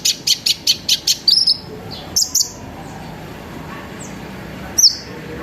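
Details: Sunbird lure song meant to set other sunbirds singing: a fast run of seven high clipped notes, then a few squeaky downslurred chirps separated by short pauses.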